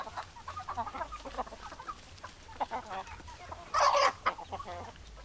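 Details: Hens and roosters cluck in a flock, with soft murmured clucks building to a loud harsh squawk just before four seconds, followed by a few quieter clucks over background hum.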